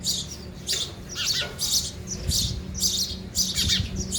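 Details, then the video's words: Sparrows eating at a feeder give rapid high chirps in uneven bursts, some with quick downward notes, roughly twice a second, above a faint low hum. "sparrow sound effect | ચકલી ઘર | chaklino avaj | sparrow eating"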